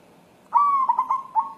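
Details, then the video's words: White local wild zebra dove calling while looking for a mate: one soft, fluty phrase opening with a long note, then three quick bubbling trills and a final rolled note. "Perkutut putih galau mencari jodoh"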